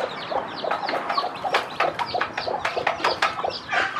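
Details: Mother hen with her many newly hatched chicks, showing them how to eat; short clucks sound amid busy high, rising-falling chick peeps and sharp clicks of pecking.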